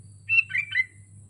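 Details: Caged sooty-headed bulbul hanging on a pole gives a single short, liquid three-note phrase, the first note higher and whistled, the others dropping and rolling, over a constant low hum.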